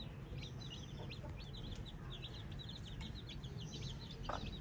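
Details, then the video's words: Baby chicks chirping in a steady flock chorus of short, high, downward-slurred peeps, many overlapping and repeated several times a second, over a constant low rumbling hum. "Baby chicks chirping"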